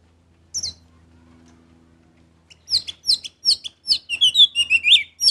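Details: Orange-headed thrush singing energetically: an opening high note, a pause with faint humming, then a fast, accelerating series of sharp, high whistles and chirps, about three per second.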